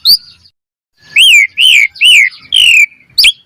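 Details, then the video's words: Asian pied starling song for training, gacor style: after one sharp note and a pause, four loud slurred whistles in quick succession, each rising then sliding down, ending with a short squeak. "Pancingan Jalak Suren Gacor Mompa Full Variasi - Masteran Suara Burung Jalak Cepat Gacor Full Isian"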